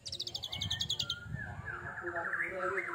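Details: Oriental magpie-robin (kacer), molted once, in 'tembakan' song: a quick series of high rattling notes in the first second, then a flat whistle and a warbled rising phrase over low rumbling background noise.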